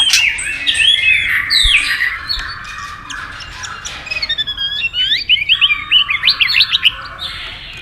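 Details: White-rumped shama singing competitively at speed: rich slurred whistles give way to a quick cluster of rising and falling notes and short trills.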